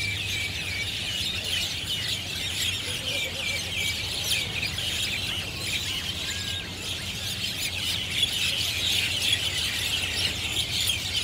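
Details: Mynas, either Javan or Jungle, a noisy flock at the treetops on Marina Barrage rooftop in Singapore on a Sunday afternoon; continuous squeaky, overlapping chirps from many birds, building slightly louder near the end, low hum beneath.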